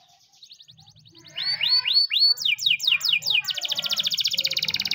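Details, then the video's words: Canary morning training song that begins softly, swells into loud arched whistles and downslurred notes, then a dense fast high trill, over a faint low rumble. "the best canary training song in the morning!!"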